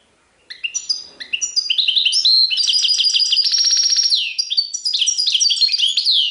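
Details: European goldfinch in continuous Serfati Tiwawati style song. Staccato chirps build into a rich, tinkling stream, with a fast buzzy trill midway and a down-slurred note before more twittering.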